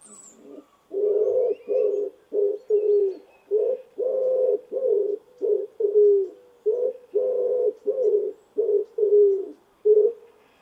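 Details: Common wood pigeon in a garden gives deep, soft, husky coos in a steady run of short notes, with a faint high bird note at the very start.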